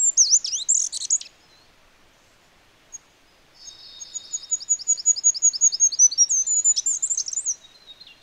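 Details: Free goldcrest: the twittering end flourish of one song, a pause, then a full song of high, thin, evenly spaced double notes rising into a tinkling trill finish.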